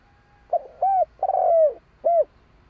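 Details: A spotted dove gives a mellow cooing phrase: a short note, a rounded coo, a longer coo sliding downward, then a final clear coo, with faint low background rumble.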